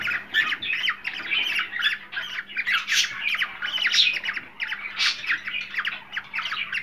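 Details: Cockatiel breeding-stimulation calls: rapid rasping squawks and chirps packed tightly together, a few louder shrill peaks, over a faint continuous hum.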